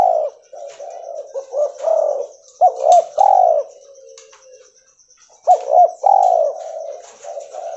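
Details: Albino spotted dove of cotton-white mutant colouring gives several hollow coos, a quieter trailing tone, a near-silent gap, then another rising-then-rolling coo phrase.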